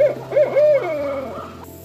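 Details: Owl hooting: a short hoot, a second hoot, then a longer drawn-out hoot that trails off and falls, over a steady low droning hum that sounds like background music.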